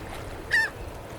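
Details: A gull flying in the sky gives a single short, nasal, slightly falling squawk of medium-high pitch, clearly above a low, steady background hiss.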